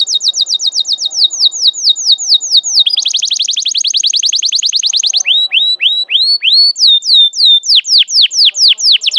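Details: Canary lure song meant for young canaries to learn from: long, loud, high rolling trills of rapidly repeated slurred notes, switching between faster and slower phrases without pause.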